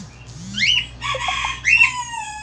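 A male Australian finch sings a quick run of nasal, buzzy notes with bright harmonic squeaks, three short bursts in about two seconds.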